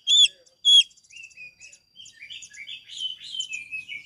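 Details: Oriental magpie-robin master recording for training a bird that has stopped singing: two loud, clear whistled notes followed by a softer rambling warble of varied, sliding tones.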